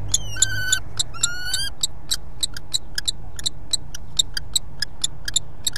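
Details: A Common kestrel at a nest in Brest, Belarus, at dinnertime on 26 April 2020, gives two harsh, shrill, drawn-out calls, then a quick run of sharp ticking clicks several times a second, over a steady low hum.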